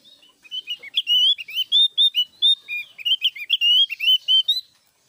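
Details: Loud song of a Javan grey-throated white-eye (opior jawa): a continuous, fast chain of high, sweet whistled notes, some slurred up or down, strung together for about four seconds without pause, clean and close.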